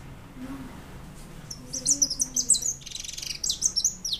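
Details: White European goldfinch singing: a fast, twittering run of high, sharp chirps and short trills repeated in quick succession, with quiet background hum.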